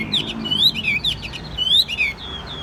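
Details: Tame, calm caged Chinese hwamei giving loud, clear whistled song: long sliding notes that rise and then drop, grouped in bursts with brief pauses between them, in a quiet room.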